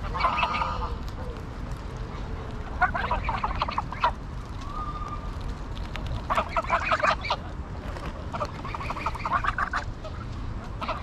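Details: Greylag geese at Pearson Park, Hull, England, recorded 22 August 2021 with a GoPro Hero9: several nasal, harmonic honks come in clustered bursts near the start, around three to four seconds, then again from six to ten seconds, over a steady low rumble.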